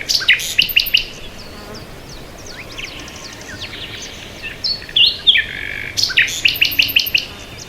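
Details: Bird chirping in bursts: a quick series of bright repeated chirps opens, quieter scattered notes follow, then the fast repeated chirps return during the last two seconds, loud and high.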